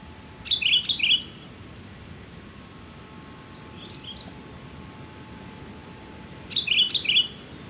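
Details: Sooty-headed bulbul calls, a recording used to lure birds: two bursts of short, bright chirping notes, each a quick pair or cluster, separated by about five seconds of quiet with a steady low background hiss.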